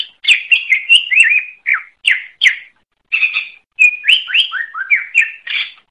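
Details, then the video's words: Greater green leafbird (cucak ijo) in continuous gacor song meant as masteran for caged birds: lively sequences of slurred whistles and sharp chirps, a brief pause midway, then descending and rising whistled notes. "Suara Burung Cucak Ijo | Gacor"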